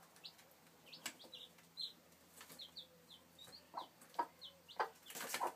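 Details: Domestic chicks recorded in 2013 peeping steadily, short high falling notes tumbling over each other, mixed with loud knocks, rustling and scratching clatter that builds toward the end.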